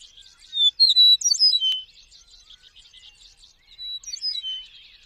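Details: Eastern Meadowlark song: two bright high phrases of clear slurred whistles mixed with quick twittering notes, about three seconds apart, with a quiet background in between.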